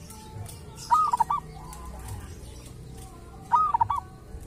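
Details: Local wild zebra dove (perkutut) from a sacred tomb site, said to have a distinctive voice: two short cooing phrases of quick fluttering notes about two and a half seconds apart, over steady background rumble.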